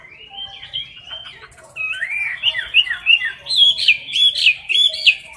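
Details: Caged Chinese hwamei giving competition song up close: softer warbled whistles at first, building into louder, quick rolling phrases of looping whistled notes repeated about three per second toward the end.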